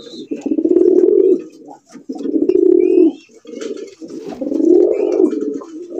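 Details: Domestic pigeons kept as calling pigeons for sale, some with eggs and chicks, coo in deep, rolling, throaty phrases, several birds calling over one another.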